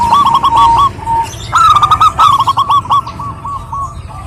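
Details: Local zebra dove, a female calling to a male, with rapid staccato trills of short hooked notes in bursts, breaking into brief pauses before rolling on again, backed by steady low-pitched noise.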